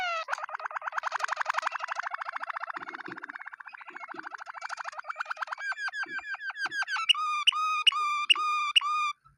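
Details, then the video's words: Waterslager canary song: long, fast rolling trills that quicken and slow, shifting into clear, evenly spaced piping notes at the end. "water Slager Caneri singing"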